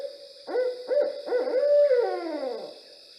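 Barred Owl giving a run of rich, throaty hoots that end in a drawn-out, falling hoo-aww, over a steady background hiss.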